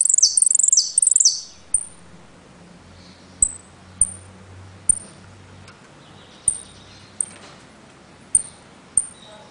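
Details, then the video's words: A caged saffron finch (jilguero), Trenque Lauquen, opens with a fast shrill burst of descending high notes, then settles into single thin pips roughly once a second. "JILGUERO AUDIO "EL CORRENTINO" ( repique, golpe y pitadas)"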